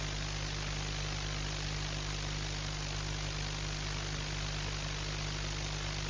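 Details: Quieter steady hiss over a low mechanical drone continues without any animal voice.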